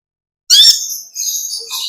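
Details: Olive-backed sunbird in ngekek panjang style: one sharp, high, buzzy burst of rapid notes lasting a fraction of a second, trailing into faint thin high twitters.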